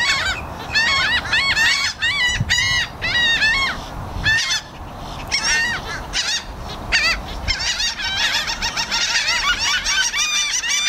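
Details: Several seagulls and black-headed gulls yelling loudly at once, harsh nasal cries in rapid runs with brief pauses, overlapping into a dense noisy chorus.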